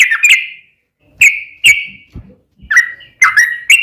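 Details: Sooty-headed bulbul lure song meant to set off other bulbuls: scattered bursts of bright whistled notes, a longer slurred whistle opening, then short clipped notes after pauses, with faint low knocks between.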